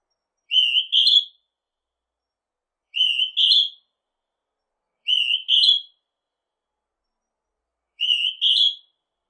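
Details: Northern hawk-cuckoo recorded in 2020: a loud whistled two-note phrase, the second note higher and stronger, repeated four times at roughly two-and-a-half-second intervals against a silent background.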